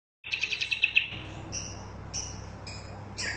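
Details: Bulbul song, lively, used as a tutor recording for training caged birds: a rapid run of bright chirping notes for about a second, then thin high whistled phrases at intervals.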